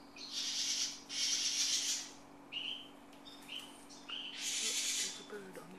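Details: Parent birds that nested in a garage fuss at a person while their three fledglings leave the nest on their first flight. Harsh, raspy scolding bursts about a second long alternate with short whistled notes, over a steady low hum.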